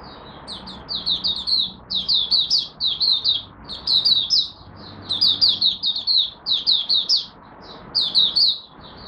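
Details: Malaysian oriental white-eye at its first warm-up of the day, giving lively runs of high twittering chirps in bursts of four to six notes over a low background hum.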